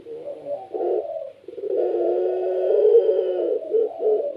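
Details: Puter pelung Barbary dove, a kept cage bird, cooing vigorously to prompt other doves to call: low mellow coos, a short phrase then a long drawn-out rolling coo near two seconds, ending in brief repeated notes.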